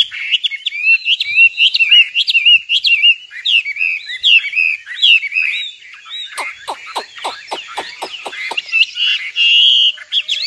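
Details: Nightingale in song: varied high warbled phrases, then a rapid run of sharp, clicking notes, ending with a brief steady whistle.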